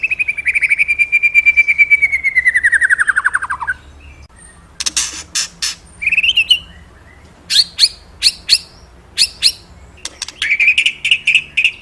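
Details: Magpie-robin singing energetically: a long rapid trill of whistled pulses that gradually drops in pitch, then a pause. Loud clicks, short rising whistles and harsh chattering notes follow, ending with another brisk trill.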